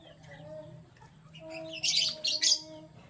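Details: Morning canary activity: after quiet murmuring, two dense bursts of high, scratchy chirping close together in the last second and a half.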